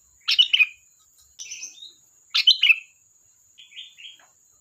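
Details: Sooty-headed bulbul song of two loud gurgling phrases about two seconds apart, each followed by softer warbled whistles, over a faint steady high-pitched hum.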